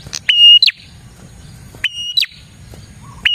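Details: Prinia song played to lure prinias: a short high chip, then repeated phrases of a level whistled tone closing in a sharp downward glide, with faint quiet notes between.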